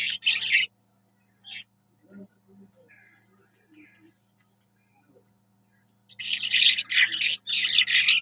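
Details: Skylark (Jal Mashadi) giving a burst of dense, scratchy high trills, then a long near-silent gap with faint soft notes, then a run of rapid buzzy chattering phrases; low electrical hum throughout.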